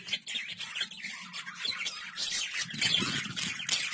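A flock of budgerigars chattering in a dense, continuous stream of scratchy chirps and warbles.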